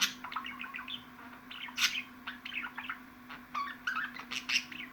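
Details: Pet budgerigars chattering in a long recording meant to stir up other budgies: quick rising chirps, squeaks and harsh clicks in rapid bursts, over a constant low hum.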